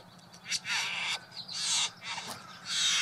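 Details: Male Satin Bowerbird performing his elaborate courtship display at his bower, decorated with flowers and blue trinkets, for a visiting female: four loud, harsh, buzzy hissing bursts, each around half a second long, over a steady low hum.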